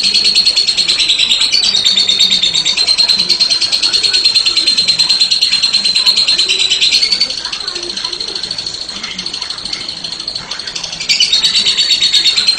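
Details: Long, unbroken 'ngekek' chatter from a lovebird, a dense high rattling trill sustained for over twelve seconds, dipping slightly in loudness midway and rising again near the end.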